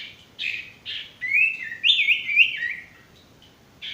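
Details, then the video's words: Male Ashy Tailorbird (sirtu) used to coach untrained or stressed, silent birds: two short buzzy notes, then a run of clear warbling whistles rising and falling, then another buzzy note after a pause. "masteran burung sirtu bakalan maupun stres macet"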